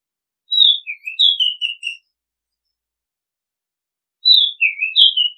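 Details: Oriental magpie-robin song for calling and decoy use: a sequence of whistled notes, first high and falling, then several shorter repeated slurs, with a second similar phrase beginning after a silent gap of about two seconds.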